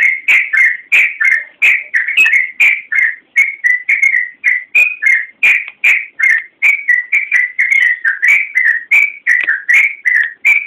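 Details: Energetic yellow-vented bulbul song used as a master recording for teaching other birds: a long, fast run of liquid whistled notes, roughly three per second, each slurring up or down, with no other sounds.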